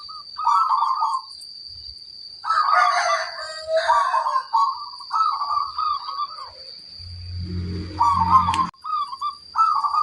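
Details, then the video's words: Local zebra dove in full song, showing its big 'kung' voice: a string of rolling, burbling coo phrases repeated with short pauses. A brief low rumbling noise comes near the end, and a faint steady high whine persists. "Perkutut lokal gacor, gayer suara kung besar"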